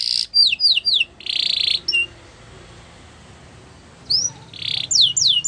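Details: Gloster canary singing in short bursts: quick rising whistled sweeps in rapid series, a buzzy broadband note, a brief pause, then more rising whistles and buzzy trills; high-pitched and bright against a quiet indoor background.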